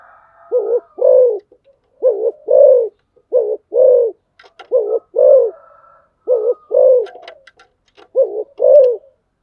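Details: Spotted dove used as a decoy, cooing repeatedly in paired low notes, a short hoot then a drawn-out one, about six pairs in a row. Soft whistles and light clicking sound in the background.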